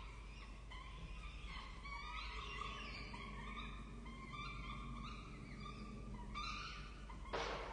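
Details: Peregrine falcon chicks at a nest on the Charles Sturt University campus in Orange, Australia, 23 October 2023, begging while the adults feed them: drawn-out, harmonic wailing calls, some rising and some falling, overlapping through the clip over a steady low hum.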